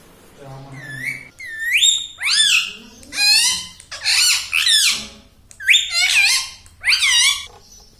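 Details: Talking pet rose-ringed parakeet that says "mummy" gives a quick run of eight or so loud, harmonic syllables, each rising then dipping like squeaky speech, packed closely with brief pauses.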